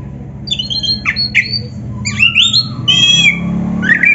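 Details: Oriental magpie-robin singing a full, varied song: clear whistled notes, slurred rising and falling phrases and a sharp bright note, set against a steady low hum.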